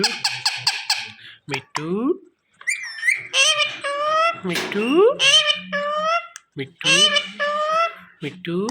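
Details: Pet Indian ringneck parakeet calling loudly for attention: rapid clicks, then a run of harmonic, rising and falling chattering sweeps and speech-like phrases with brief pauses.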